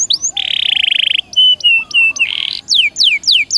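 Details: Song of a canary (Serinus canaria) for coaxing a silent caged canary to sing: buzzy rattle, flat piping whistles, a short buzz, then a series of descending whistled slurs.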